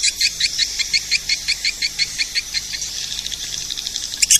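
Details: Calling sound used to draw in edible-nest swiftlets: short, high, sharp chirps repeated roughly three times a second, then a denser blur of twittering near the end.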